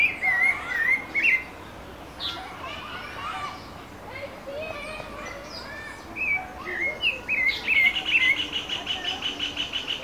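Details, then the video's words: Pale-breasted thrush singing in Brasilia, Brazil, with varied caroling phrases of fluty, warbling whistles, a pause with softer notes, then a fast run of repeated bright notes toward the end. "Sabiá-do-barranco - Pale-breasted Thrush - Turdus leucomelas - cantando - singing"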